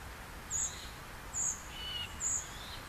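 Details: A young common cuckoo being fed by a great reed warbler gives very high, thin, hissing notes, one short burst almost every second, with a faint whistle and soft outdoor background.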